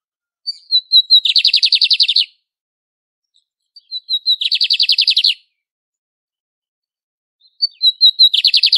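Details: Lined seedeater's classic song repeated three times at steady intervals: a few sharp high introductory notes, then a fast, rattling buzzy trill of about a second, with silence between.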